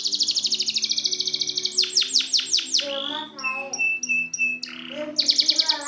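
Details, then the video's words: Tutoring recording of canary song for silent canaries: a long rapid high trill, then loud descending sweeps, lower bubbling notes and short repeated whistles before another fast trill. "Masteran burung kenari macet"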